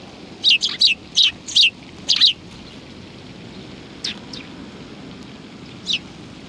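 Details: Sparrows gathered on a bench at a Tenmangu shrine, Japan, on 30 January 2020, giving a fast run of about eight sharp chirps in pairs and triplets, then a few isolated chirps after a pause, over soft ambient noise.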